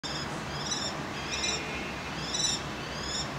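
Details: Male common kestrel in spring in Cairo, calling for a mate near a house wall: a series of about six high, thin, slightly rising notes in quick succession over a steady background hiss.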